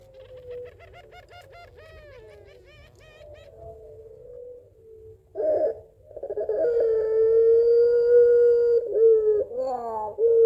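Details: A long call from a Barbary dove (puter pelung) calling its mate, described as crying and laughing and used as a lure: a quick wavering laugh-like run, then a low hum, and a loud sustained drawn-out tone with slight wobbles.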